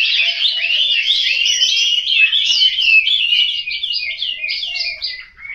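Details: Caged Chinese hwamei kept at home in Hanoi, Vietnam, singing a loud, rapid stream of varied whistled and slurred notes, densely packed and continuous, with a faint low warble beneath.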